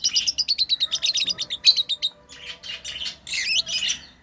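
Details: Pet lovebirds while playing: a fast run of about fifteen evenly spaced high chirps, then a rougher, buzzier chatter of squeaky notes.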